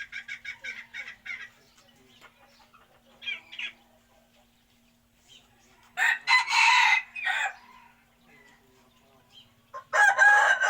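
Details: Chicken calls: a short run of rapid clucks, a few scattered notes, then two loud, drawn-out harsh crows about four seconds apart over a quiet background with a faint constant hum.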